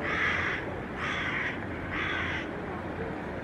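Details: A Hooded crow mobbing a Northern Goshawk perched on a rooftop railing gives three harsh, rasping caws about a second apart, each half a second long, against a steady low rumble; Helsinki, Finland, September 2024.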